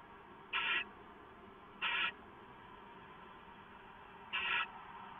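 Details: Owl filmed on a live camera at dawn, 15 March 2014, while receiving leftover food. Three raspy, noisy screeches about a quarter second long come at uneven gaps of one to two and a half seconds.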